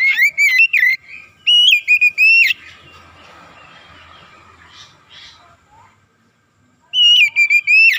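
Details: Oriental magpie-robin (kacer) singing energetically in 'gacor' style as a lure: two quick clusters of loud wavering whistles with abrupt upward flicks, a quiet gap with soft distant chirps, then another whistled burst.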